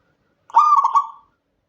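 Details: One cooing phrase of a local zebra dove from Indonesia, recorded at night: a smooth rolling note broken by a quick series of staccato hiccups, then fading out, in clean silence.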